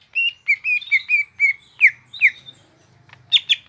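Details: Greater green leafbird singing gropyokan gacor: a quick chain of short level whistles, then two sweeping downslurred notes, and a closing burst of harsh high chatter over a faint low hum.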